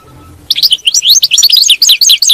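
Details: European goldfinch singing, meant to keep a captive goldfinch in song: after a moment of quiet, a dense, fast twittering of bright slurred notes and chips continues to the end.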